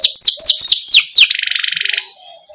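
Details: Canary singing a rolling training song used to get young canaries singing: five loud downward-slurred whistles, then a rapid buzzing trill lasting under a second, fading into soft low notes.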